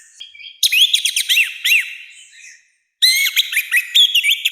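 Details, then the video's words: Orange-headed thrush delivering loud, harsh 'gacor ngeplong' song used for training and provoking kept birds: dense bursts of sharp whistled notes, rapid downslurs and trills, two phrases split by a brief pause. "ANIS MERAH GACOR NGEPLONG, SUARA KASAR KERAS"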